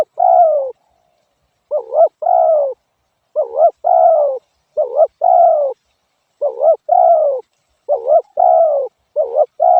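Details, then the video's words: Spotted dove giving low mellow cooing phrases, each a short rising note followed by a longer falling coo, repeated in pairs with pauses of about a second between them, no other sounds. "suab nquab lauj kaub tawg เสียงนกเขาใหย่"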